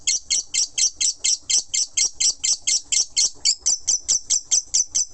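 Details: Lovebird in a long non-stop ngekek chatter: rapid, sharp, high chirps repeated about twice a second in an even run, with the notes shifting to a flatter whistled tone near the end.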